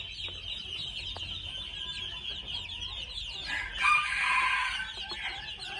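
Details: Red junglefowl at two months old. Scattered light chirps over a constant high-pitched drone, then a loud, rough, harmonic call bursts in near the four-second mark and fades off in about a second.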